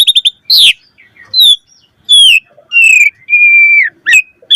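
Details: Asian pied starling delivering a lure song for other starlings: a quick triple chirp, then separate whistles, some falling, one long flat whistle, spaced irregularly about a second apart.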